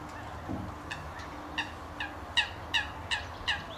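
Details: Common redshank at RSPB Rye Meads, UK, in April 2013: a series of short, harsh, stacked notes, first sparse then coming about two to three per second and growing louder, with faint low background hum.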